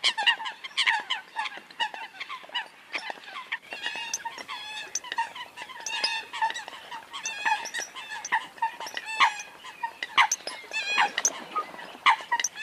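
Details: A dense, busy chorus of Eurasian coots: many short, nasal, squeaky notes crowding over each other without pause, with some sharper clicks mixed in.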